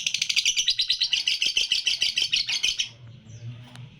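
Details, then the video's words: Young red-eyed lutino lovebird, three months old, delivers a dense burst of rapid high chattering notes in the close-pause style, lasting about three seconds before stopping into quiet background hum. "LOVE BIRD PAUD LUTINO MM USIA 3 BULAN JEDA RAPAT"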